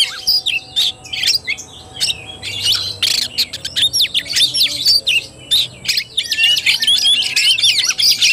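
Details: On 17 August 2021 an Oriental magpie-robin sings kacer tarung, the fighting style: choppy bursts of scratchy squawks and fast whistles separated by short gaps, with a low hum underneath.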